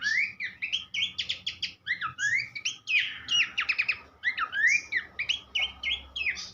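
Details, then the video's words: Varied Horsfield's babbler song used as tutoring material for songbirds: flowing whistled slurs alternating with rapid stuttering trills, sung almost without break. "vokal mewah sang guru masteran khas pelanduk semak"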